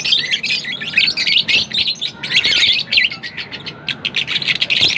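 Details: Lovebirds keep up a nonstop run of high, scratchy chirps and twittering, rapid notes tumbling in dense bursts with only brief dips, a few clicks underneath.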